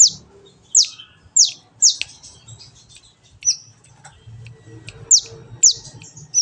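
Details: Training recording of a Van Hasselt's sunbird (kolibri ninja) used to make a kept bird sing: sharp, very high notes swept steeply downward, repeated roughly every half second in a series, over faint low hum.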